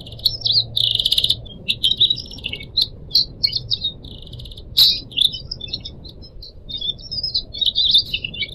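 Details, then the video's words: Pied triller kept as a pet, its song compiled to train other cage birds: a lively, nearly continuous run of high chirps, trills and buzzy notes, with a sharp click midway and a soft trickling-water background. "kicau burung decu kembang"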